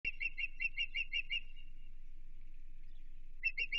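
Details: Osprey at a Chesapeake nest reacting to an intruder, a live nest-camera recording from June 15, 2023: a fast run of sharp, high piercing whistles, about eight in a row, then a pause and another short burst.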